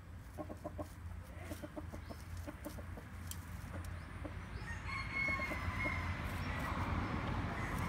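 A hybrid junglefowl gives quick clucking notes for several seconds, then a short, strained crow over a steady low background hum.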